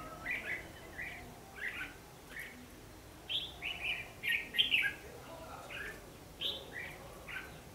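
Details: Red-whiskered bulbul fighting song used in trapping as a lure, 14 December 2015; repeated short bubbly whistled phrases every second or so, peaking in a louder burst near the fifth second.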